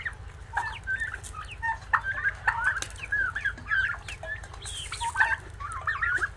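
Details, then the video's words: Several turkey poults giving quick rising and falling chirps in loose runs, some slurred peeps closely bunched, with a constant low hum underneath throughout. "guajolotes polluelos"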